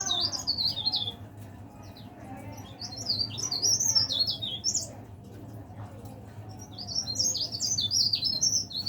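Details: Caged leaf warbler, kept indoors, singing actively: three rapid high twittering phrases of jumbled, zigzagging notes, each about two seconds long with short pauses between, over a steady low electrical hum.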